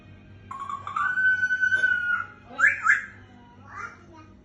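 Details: Lory, a talking parrot, indoors: a clear sustained whistled tone held for about a second and a half, rising slightly, then two short harsh squawky notes and a softer final call over a low hum.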